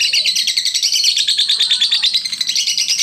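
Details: Lovebird song meant to provoke lazy lovebirds into singing, a continuous high chattering trill of quick pulsed notes, about two per second in bursts, with squeaky whistled accents layered over the rapid chatter.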